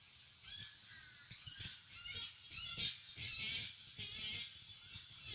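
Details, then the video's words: At sunrise at a Florida wading-bird colony (wood storks, egrets, herons, cormorants, bitterns among species present), a dense, overlapping chorus of harsh squawking calls bursts roughly every second over a steady outdoor hiss. "Bird Colony Sounds"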